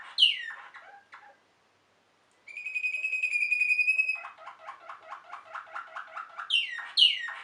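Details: Waterslager canary, also called Malinois canary, a song breed from Belgium. Falling slurred notes and short chips, a brief silence, then a long pure whistle, then a run of rapid bubbling pulses, ending in two loud sweeping descending notes.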